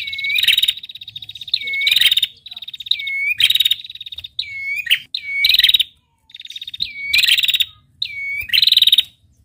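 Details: Female red-headed prinia giving rapid, high, buzzy trills about a second long, each ending in a sharp rising note, repeated every second or two.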